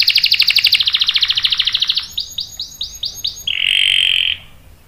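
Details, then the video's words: Canary singing as a lure to stir other canaries to reply with rolling song; a rapid buzzy trill, then a run of six ringing downslurred notes, ending in a steady harsh drawn-out tone. "PANCINGAN KENARI GACOR bikin EMOSI jadi NYAUT NGEROL TAJAM | CANARY SINGING"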